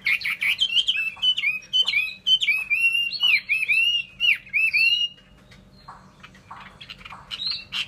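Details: Chinese hwamei song, loud and rich: a rapid run of varied whistled phrases, slurred up and down with sharp clicks between, stopping after about five seconds, then softer notes and a final bright whistle.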